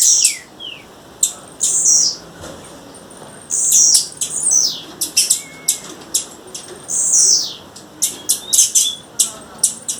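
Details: Female blue-black grassquit calling in the wild: high, thin chirps and short descending buzzy notes, irregular and clustered, with sharp clicks between them and a brief whistled downslur near the middle.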